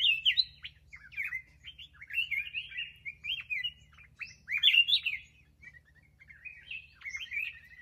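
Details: Kept black-crested bulbul delivering bursts of quick chirpy, whistled notes in short clusters, pausing briefly between groups, over a faint constant low hum.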